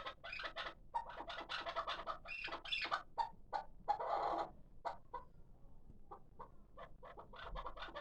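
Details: Rapid clucking and chuck notes from a six-month-old hybrid partridge kept for calling, with a harsher rattling burst near the middle before spaced single notes close the sequence.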